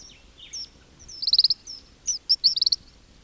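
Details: King cormorant (Leucocarbo albiventer) chicks in a colony give thin, high whistles and quick buzzy pulsed trills in short bursts; no low adult grunts are heard.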